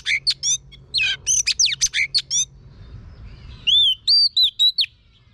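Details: Female Oriental magpie-robin coaching a male to sing; a dense rush of high slurred whistles and rattly notes, a short lull, then four clear, separate whistled notes rising and falling.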